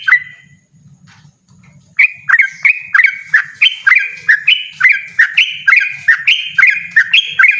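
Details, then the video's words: A near-silent opening with a faint low murmur gives way to a yellow-vented bulbul's loud, insistent ropel singing: about sixteen quick, gurgling, upslurred phrases in a steady run. "burung trucukan ropel ngotot suara lantang"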